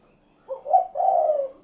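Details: One full spotted dove call: a soft stuttered opening of two short notes, then a sustained low, hoarse coo lasting about half a second.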